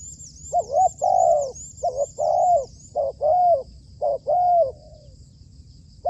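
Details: Trained decoy spotted dove used in dove trapping. Loud, close cooing in paired units: a quick short note, then a longer slurred coo, repeated about four times with brief gaps. Thin high chirps sound faintly in the background.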